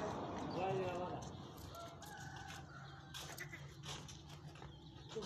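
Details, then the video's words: Chukar giving harsh, clucking notes in a rough, quick series over a steady low background hum, with a few sharp clicks partway through. "chakor sound"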